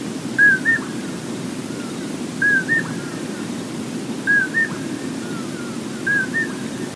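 A Common Poorwill repeats its whistled two-note "poor-will", the second note rising, about every two seconds over a low steady rumble.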